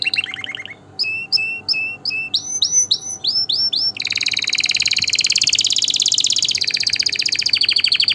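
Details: Canary song used for tutoring young birds and stirring males and females to breed: a quick burst of trilled notes, then a row of separate rising whistled notes, then a long, fast, buzzy rolling trill.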